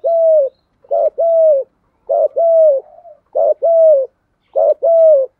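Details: Urging coos of a spotted dove, used for training decoy birds; five paired phrases, each a brief stuttered note followed by a drawn-out mellow croo, evenly spaced in a quiet setting.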